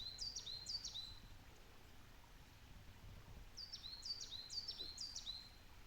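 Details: Coal tit (Periparus ater), song.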